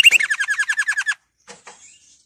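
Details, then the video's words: Canary training song: a rapid series of about ten short notes descending slightly, followed by faint soft notes. "Canary 's most powerful song for training"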